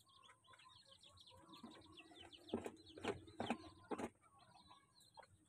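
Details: A crowd of chicks feeding, giving many soft, high, quick peeps that overlap in a steady twittering chorus, broken by a few louder, sharp knocks near the middle.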